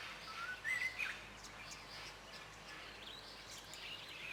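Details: White-browed robin-chat singing: a short whistled phrase rising in steps, clear at first and then fading, followed by quiet moments with steady background hiss and faint distant chirps.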